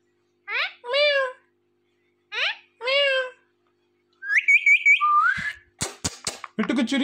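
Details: Indian ringneck parakeet kept as a pet, talking and dancing: two pairs of speech-like wavering syllables, then quick repeated notes, a rising whistle and sharp clicks.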